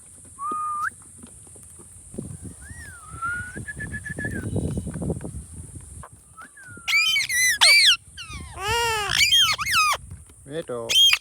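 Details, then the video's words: Indian ringneck parakeet talking: brief whistled tones and soft murmuring at first, then loud, rich, wavering speech-like phrases in quick succession, some swooping high and low. "Funny Talking Ringneck Parrot"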